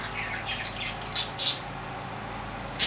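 Budgerigar giving brief, sharp, high chirps and squawks in scattered bursts.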